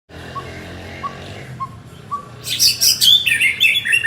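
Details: White-rumped shama, a male calling to his partner: soft short whistles near the start, then a loud burst of rich varied warbling and chirps in the last second and a half, over a low hum.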